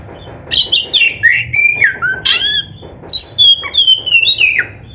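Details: Kacer (oriental magpie-robin) giving lively 'gacor' song: two bursts of fast, tumbling, down-slurred whistles and harsh notes, followed by a clear high whistle sliding lower in steps.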